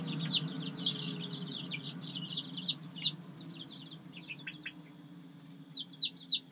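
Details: Brooder chicks of a productive layer line calling in bursts of sharp high peeps, some louder notes standing out near the start and end, quieter chirping between, with a faint low hum.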